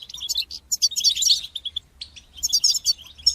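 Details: Goldfinch singing as a training aid for young goldfinches, with quick liquid twitters building into a rich trilling burst, a short pause, then another chattering phrase.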